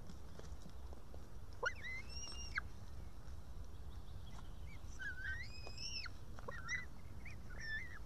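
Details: Young white-tailed eagle at a nest in Estonia, June 2018, calling for help to be fed. Softer, scattered whistled calls with arched, bending notes are separated by pauses against a quiet background hiss.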